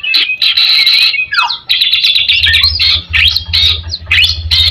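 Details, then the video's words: White-rumped shama 'gacor' lure song: buzzy rattles mixed with swooping slurred whistles and sharp notes, over a steady low droning hum. "MURAI BATU GACOR Ampuh buat pancingan"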